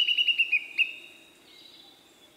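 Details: Male Siberian blue robin giving a quick series of about six sharp chirped notes in a fast burst. A thin, high whistle trails off after them.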